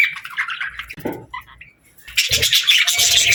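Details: Chattering parakeets give warbling chirps, a short lull with scattered squeaks, then a loud, dense burst of bright chatter and thin whistles; low knocking sounds in the background.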